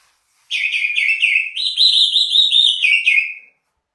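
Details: Greater green leafbird singing a loud, rich run of warbled whistles, a series of short slurred notes that rise into a sustained bright phrase, then drop and fade.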